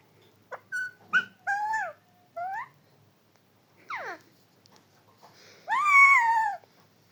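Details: A talking parrot gives a series of short harmonic, voice-like syllables, some rising and falling, then a longer nasal, drawn-out call near the end, in a quiet indoor setting.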